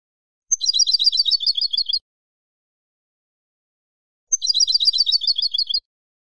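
A European goldfinch gives two bursts of high, rapid, tinkling twitter, each about a second and a half long, separated by a few seconds of silence.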